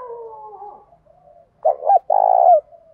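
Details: Spotted dove calling in the 'thổ pha' and 'hạp bổi' voice styles, said to lure rivals in to fight; a soft drawn-out murmur fades, then after a brief hush come two low, throaty coos, the second longer and steadier.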